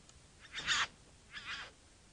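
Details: Bowerbird producing two harsh, hissing, wheezy bursts about three-quarters of a second apart, the first louder than the second, against a quiet background.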